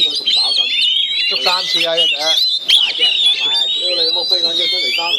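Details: Oriental magpie-robins kept in cages and fought against a rival through linked cages; high, quick whistled phrases and sliding notes continue steadily over prominent conversation from onlookers.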